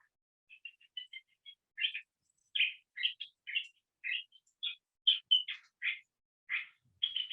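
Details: A male California Thrasher sings a varied, jumbled run of harsh and whistled phrases, each repeated once or twice, blending in parts of other birds' songs.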